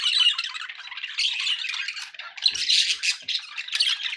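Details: Budgerigars in a dense stream of squawky, buzzy warbling, fast chirps and scratchy notes overlapping without a break, with a louder burst of calls near the middle.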